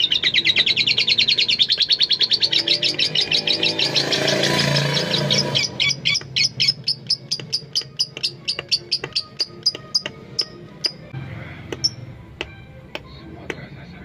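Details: Tame female lovebird, kept to spur other lovebirds into singing, opens with a rapid, pulsing high trill lasting about four seconds, then a brief noisy rustle, followed by a long series of separate sharp chirps slowing toward the end.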